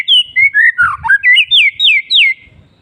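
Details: Afternoon song of a white-rumped shama: a loud, rapid chain of about ten pure whistled notes, each a sweeping slur, some dipping low and others climbing high, delivered in under two and a half seconds with faint background rustling.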